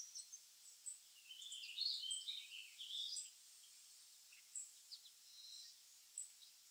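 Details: Chickadees feeding on black oil sunflower seeds at a feeder: a quick burst of high, thin chips and twittering notes midway, then scattered single chips at irregular intervals, over faint background hiss.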